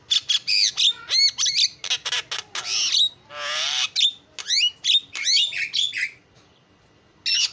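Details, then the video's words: Javan myna in full song: rapid clicks and rising whistles, a long hoarse rasping squawk, then more quick slurred notes before a short silence and a final burst. "JALAK KEBO SUPER GACOR SUARA ISIAN"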